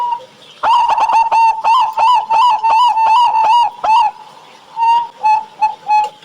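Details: Thick-voiced local zebra doves battling in song, recorded to spur captive birds; a fast series of resonant, bubbling coos runs for three seconds, then slows into separate softer coos with gaps between.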